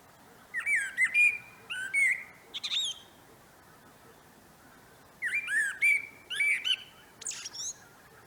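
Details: Common blackbird singing in a no-dig vegetable garden at the end of March 2024, northern spring: two unhurried phrases of low, mellow fluted notes each ending in a thin, high twitter, against a quiet background.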